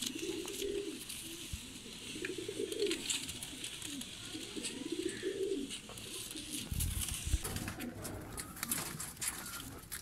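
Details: Domestic Salaray Teddy pigeons for sale give a run of low, rolling coos that rise and fall in a steady series, with a thump and a burst of broadband noise near the end.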